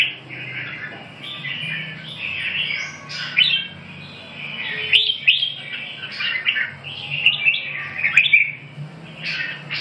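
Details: Red-whiskered bulbul song, a run of warbling, slurred whistled phrases rising and falling, fairly continuous with sharper accented notes every couple of seconds, over a soft low background hum.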